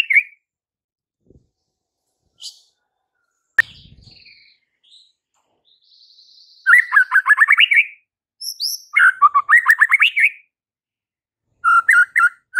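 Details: White-rumped shama singing to provoke fighter males; after quiet scattered notes and a soft thud, dense bursts of rapid upslurred notes arrive, several climbing phrases separated by short pauses.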